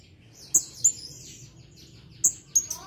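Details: Blue-crowned hanging parrot answering a lure recording straight away, in lively voice: piercing, very high single notes, two close together, a pause, then another pair, over a faint low hum.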